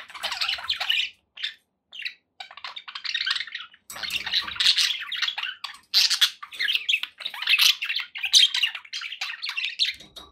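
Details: Pet budgerigar flock chattering: bursts of raspy warbles and squeaky chirps in repeated phrases, a short quiet spell around two seconds, then near-continuous lively chatter to the end.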